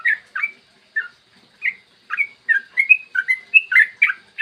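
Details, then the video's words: Yellow-vented bulbul song used as a lure to stimulate other bulbuls to sing, described as clear long morning rolls: bubbly, liquid notes in short bursts, sparse at first, then quickening into a rapid chattering run. "PANCINGAN TRUCUKAN AGAR BUNYI burung TRUCUKAN GACOR ROPEL PANJANG"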